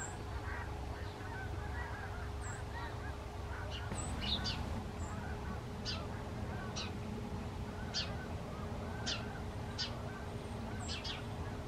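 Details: Honking Canada geese flying in formation, with their calls mixed with sharp high chirps from other birds and a persistent low-frequency rumble throughout.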